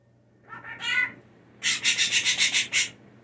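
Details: Hand-raised blue jay that mimics sneezes and household speech: a wavering nasal call followed by a fast, rasping series of about eight harsh pulses, indoors with a low background hum.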